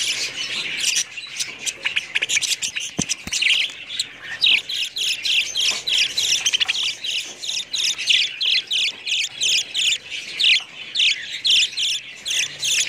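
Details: Budgerigars warbling continuously with thin high chirps, clicks and squawky notes. The chatter turns into rapid rhythmic chirping in the second half, with a few sharp ticks near the start.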